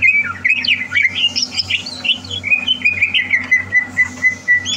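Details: Greater green leafbird readied for a song competition, 30 November 2022, pouring out tumbling, varied whistles and chirps that settle into repeated thin whistled notes, over a constant low electrical hum.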